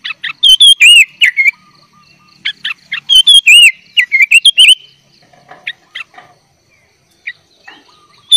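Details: Sooty-headed bulbul in gacor song with isian fill-ins, used to tutor young bulbuls: loud curling whistles and sharp chips for about five seconds, then scattered quieter single notes.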